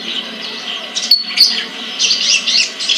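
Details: Caged sunbird kept in a collection in Pemalang, Central Java, Indonesia, producing high thin chirps that build into a dense, fast twittering burst in the second half, over a constant background hiss.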